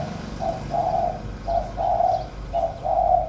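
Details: Caged spotted dove kept as a decoy bird, cooing in the 'giọng thổ' voice style: three paired coos, a short low note then a longer humming one, about every second, over faint low hum.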